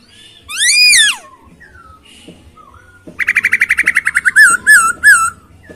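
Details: One loud arching whistle from a captive masked laughingthrush, then a fast even rattle of about fifteen notes that slows into three looping whistled notes.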